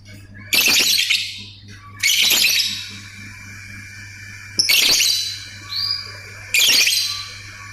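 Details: Lovebird chattering in ngetik and ngekek style: four loud raspy buzzing bursts, each about half a second long, with a faint rising whistle between them and a background hum.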